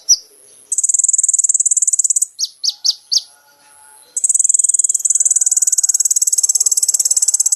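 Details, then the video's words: Van Hasselt's sunbird song, recorded for training caged birds: long, very high buzzy trills of rapid pulses, interrupted by four separate sharp descending notes before the fast buzzing trill resumes and carries on steadily. "MASTERAN BURUNG KONIN TERBAIK SEPANJANG MASA FULL ISIAN MEWAH MATERI KOMPLIT"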